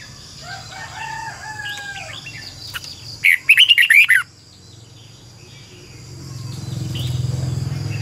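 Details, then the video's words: Decoy red-whiskered bulbul singing for training other birds: faint lower whistles early on, then a loud fast burst of chirpy warbled notes, followed by low rumbling background noise. "chào mào mồi hót luyện giọng cực hay"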